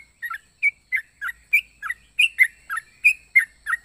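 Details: Yellow-vented bulbul with an odd, varied voice: a steady stream of short, liquid chirps, several doubled, dipping and rising in pitch at roughly three notes per second.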